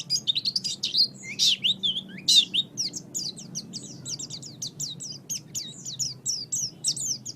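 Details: Oriental white-eye master song used to train birds: fast, high, jumbled twitters and sharp slurred notes, loud bursts early, then a long run of evenly spaced rising chirps, with a faint low hum beneath.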